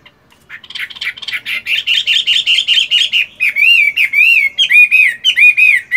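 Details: Morning voice training by a Chinese hwamei still moulting, a fighting-type cage bird: rapid buzzy repeated notes, then a series of loud arched whistles, each rising and falling, delivered about three per second.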